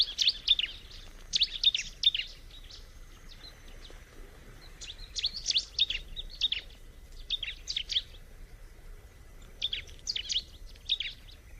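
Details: High chirping song of a bar-winged prinia, delivered in bursts of quick twittering notes separated by short silences of one to two seconds, on a quiet background.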